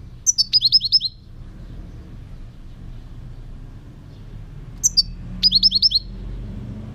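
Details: European goldfinch song: two short high twittering bursts about four seconds apart, each a thin opening note followed by a rapid run of five or six bright repeated chirps, over faint low rumble.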